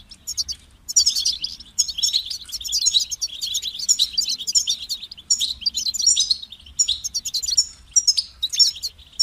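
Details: Long stretch of European goldfinch song from a caged bird: dense, high, tinkling twitters and trills in repeated bursts after a short quiet start.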